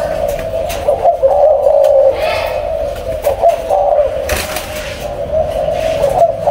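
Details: Spotted doves, a captive breeding pair, deliver repeated soft cooing phrases of deep, hollow notes, each rising slightly then falling. Intermittent light knocking sounds are heard in the background.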